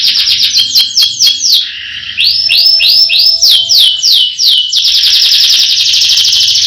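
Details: Canary singing a powerful roll song: loud, continuous high trills made of fast repeated sweeping notes, with a sustained buzzing roll near the end and a faint low hum beneath.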